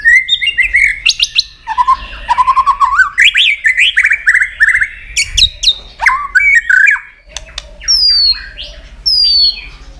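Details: Long-phrased fighting song of a provoked white-rumped shama: continuous rich warbling with rising slurs, rapid chatter and clicks, ending with separate high descending whistles.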